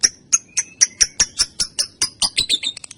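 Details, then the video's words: Young female lovebird kept as a lure and tutor for other birds, in 'ngetik' style: about a dozen sharp, high clicking chirps, spaced roughly a quarter second apart and quickening toward the end. "Suara Burung LOve Bird Betina Balibu Kusumo Ngetik Konslet Ngekek Pancingan Masteran Panjang"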